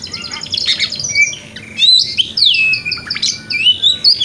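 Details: White-rumped shama (kacer) lure song in the "wikplong" style, used as morning therapy to get a shama to open its tail: loud, varied whistles, rising and falling sweeps and sharp chattering notes delivered in rapid, dense phrases.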